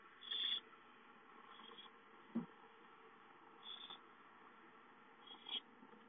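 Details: Owlets in their home nest, dated 5-9-13, begging for food with brief rasping hisses, a loud one at the start and softer ones later, plus a single sharp knock midway, over constant low hiss.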